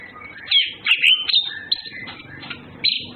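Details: Orange-headed thrushes, males and females courting: sweet slurred whistles and bright rising notes, a few sustained high tones, then a quieter pause before a final loud phrase.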